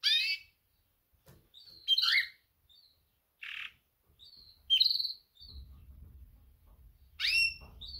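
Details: Female canary sounding mating chirps for males: scattered high tweets, some rising sharply, a short hissy note near the middle, and a low hum joining in the second half.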